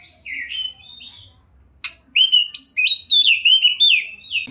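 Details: Oriental magpie-robin (kacer), a champion-quality singer with a rich repertoire, 2021. After a quieter opening of soft whistles and a sharp click, it breaks into loud, rapid, warbling whistled phrases that swoop up and down.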